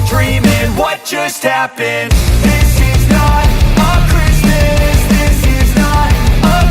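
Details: Loud rock music with pounding drums, distorted guitars and a brief stuttering break near the start, with no animal voice audible.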